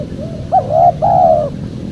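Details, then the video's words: Spotted dove calling, recorded to lure wild doves. A soft lead-in is followed by a short coo and then a longer, level, gently falling coo, over a low background drone. "PEMANGGIL BURUNG TEKUKUR SUPER JERNIH"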